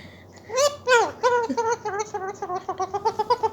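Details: Pet Indian ringneck parrot just beginning to talk, making varied sounds: two drawn-out sliding squawks, then a quick string of short nasal notes repeating steadily and speeding slightly toward the end.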